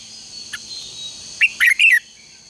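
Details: Red-whiskered bulbul song for contest training: one faint chirp, then a quick phrase of three loud, slurred warbling notes near the end, with a constant high background hum.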